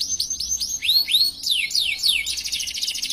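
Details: Canary in full, prolonged 'cengkok mewah' song: a run of bright rising and descending whistled sweeps, each about a quarter second long, followed by a rapid, buzzy high trill.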